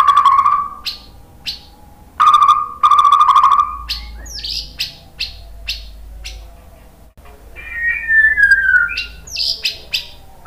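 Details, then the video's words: White-rumped shama singing to trigger other shamas into song: loud steady whistled notes with sharp clicks, a long quieter gap, then descending buzzy whistles and sharp high notes. "OCEHAN MURAI BATU Untuk Merangsang BUNYI jadi NYAUT GACOR BONGKAR MATERI ¦ PANCINGAN MURAI"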